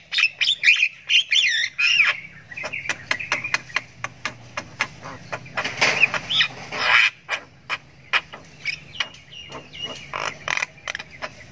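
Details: Jalak kebo chick, a Javan myna, doing ngriwik panjang as it learns to vocalize: wavering squeaky notes, then irregular sharp clicks and rasping bursts, with a rustle like flapping midway.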